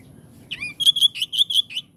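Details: Oriental magpie-robin phrase: a rising-falling slurred whistle opens, then about seven loud, clear, evenly spaced whistled notes follow in quick succession.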